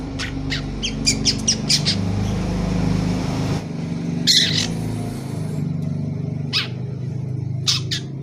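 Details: Young long-tailed shrike chattering as it learns to sing: short, sharp, high chirps in scattered bursts and a harsh squeal near the middle, over a steady low rumbling hum.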